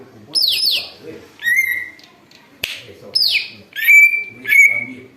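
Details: Greater green leafbird imitating an eagle, used for luring: steeply falling high whistles alternate with level and rising piercing whistles, about six loud phrases in quick succession with a sharp click between them.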